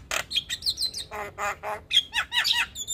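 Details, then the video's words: Black-winged starling, white-eyed champion songbird, singing a morning tutor recording full of varied phrases: a string of whistled upslurred notes, then rough buzzy squawks and quick descending chirps, loud and lively. "Masteran Jalak Kebo Full Isian Tayang Setiap pagi - Jalak kebo Mata Putih Juara Kicau"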